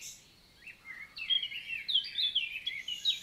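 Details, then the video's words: A wild common nightingale in summer-morning song, recorded 11 June 2023 in the Célé valley forest, Lot, south of France; loud, clear varied whistles and quick warbled phrases running without pause after a quiet start. "NIGHTINGALE MORNING SONG"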